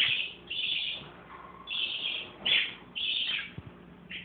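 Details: Parakeets alongside a baby parakeet: run of harsh, rasping chirp bursts about every half second to second, with a faint low whistle in a gap and occasional soft clicks.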